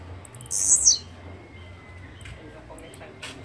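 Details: Blue-black grassquit song: one short, harsh, buzzy burst of very high notes, sliding slightly downward and lasting under half a second, over a quiet background with faint distant chirps.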